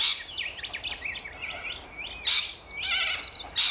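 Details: Rainbow lorikeets in Australia: a quick, high twittering chatter of short looping notes, broken by three loud, harsh screeches at the start, middle and end. No other sounds stand out.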